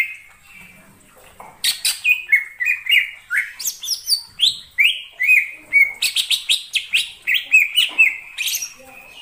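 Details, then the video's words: Greater green leafbird in wild forest: after a quiet start, a fast, continuous medley of sharp chirps, downslurred whistles and buzzy high notes, about two per second. "suara cucak ijo di alam liar"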